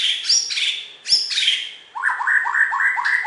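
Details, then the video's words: Prize-winning Bornean white-rumped shama from West Kalimantan in full song: rich, harsh, slurred phrases give way to a rapid series of about eight repeated upslurred whistles, each under a quarter second apart, with a faint higher chatter behind. "Video Burung Murai Batu Borneo Juara Di KalBar"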